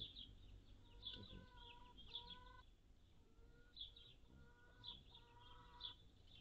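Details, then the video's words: Hummingbird on June 7, 2022, a day with a high of 76F and low of 51F: sharp high chips repeated about once a second, alongside lower steady tonal notes from another sound source and a soft background rumble. "Hummingbirds - June 7, 2022"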